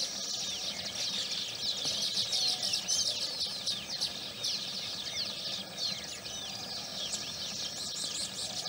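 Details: A colony of Baya weavers around their nests in the morning near Udaipur, Rajasthan, India, keeps up a dense, high chatter of overlapping sparrow-like chirps and buzzy twitters with no pause, over a faint low hum.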